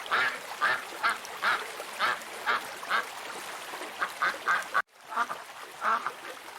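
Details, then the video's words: Steady rhythm of duck quacks, roughly two per second, heard over constant background noise, with a brief break before a few final quacks. "PATOS- SOM DE PATO- DUCK SOUND"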